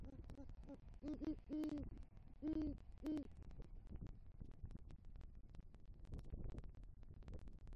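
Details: Nighttime nest tree in Southwest Florida, 3 November 2023: a male great horned owl with a rodent calls for the female, giving a few soft hoots then four loud, deep, drawn-out hoots, followed by quiet rustling.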